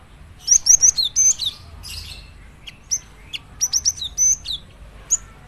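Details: Cinereous tit singing in two bursts of very high, thin whistled notes, each quickly rising or falling, run together in quick clusters of three or four with short breaks between phrases, against a low hum.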